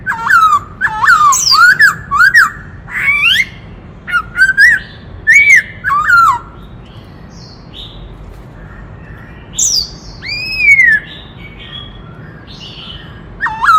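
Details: White-cheeked laughingthrush in forest, singing in the many-voiced kích trống style. Loud rich whistled phrases swoop down and up, repeated in bursts with short pauses. Higher rising whistles come in between.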